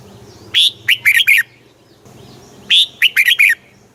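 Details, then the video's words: Southern-style master song of a caged Thai red-whiskered bulbul, used to excite and tutor birds: two identical phrases, a strong opening whistle followed by four quick chirpy notes, about two seconds apart. "เสียงนกกรงหัวจุก ร้อง ริก เปิดให้นกฟัง ยั่วให้นกคึกจัด"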